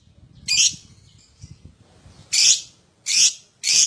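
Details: Lovebird calls used as a prompt for other lovebirds to sing: a harsh screech, quiet shuffling, then three loud raspy shrieks in quick succession.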